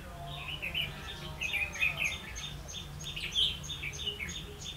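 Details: Red-whiskered bulbul decoy singing during a trapping session on 16 October 2016; a run of quick warbled and chirped notes throughout, louder bursts near the second and third-and-a-half seconds, with faint regular ticking in the background.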